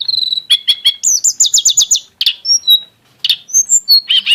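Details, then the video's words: Mountain flowerpecker (tledekan gunung) singing in an exotic style with rich bursts: a steady high whistle, then rapid buzzy trills repeated about eight times, a few thin high notes after a pause, and a closing burst. "kicau tledekan gunung yg punya gaya exsotis dan tembakan yg mewah"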